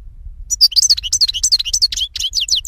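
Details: European goldfinch singing in 2016, a brisk, unbroken stream of high tinkling chirps and sliding whistled notes, about five per second, with faint low hum behind.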